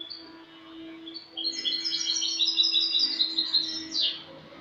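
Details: Spanish goldfinch performing clean song, 08/22/2018: a few scattered chirps, then a sustained stream of rapid tinkling twitters and trills closing with a brief harsh note, over a low steady hum.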